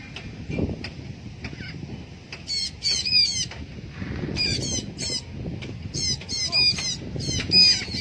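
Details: Blue-backed parrot in free flight, giving harsh, buzzy squawks in quick clusters of two or three, repeated through the recording, with wingbeat flutter and low rumbling background.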